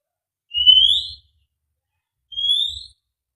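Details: White-rumped shama, a fighter-type bird, giving two clear rising whistles about two seconds apart, each sliding upward and lasting under a second, with faint thumps beneath and silence between.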